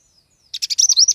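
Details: Brief high twittering from an Oriental white-eye: a faint thin whistle, then a rapid chain of buzzy, pulsing notes ending in a sweet warbled phrase.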